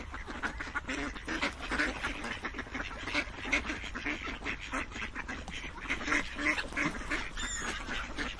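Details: Numerous ducks quack in quick succession, coarse nasal notes tumbling over one another in a constant, lively din.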